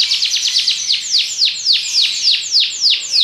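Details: A Belgian canary gives quick downward-swooping whistles, first rapid and close together, then spaced out, roughly three per second.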